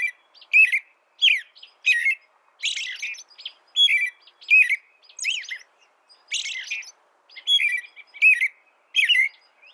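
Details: American robin caroling with warbled, up-and-down whistled phrases, a few harsher and fuller than the rest, repeated rapidly with short silences; no other birds or noise.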